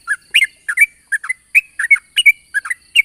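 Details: Morning 'ropel' song of a yellow-vented bulbul, a lure to get other bulbuls singing. Short, loud, bubbly notes, often paired, come in a fast irregular stream.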